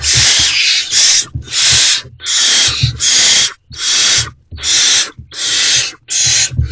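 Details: Barn owls at Owl Box C during night-time food deliveries, 28 February 2024, around 2:15–2:33 am; harsh, breathy hissing screeches repeat roughly every second, each burst long and rasping, with faint low thumps beneath.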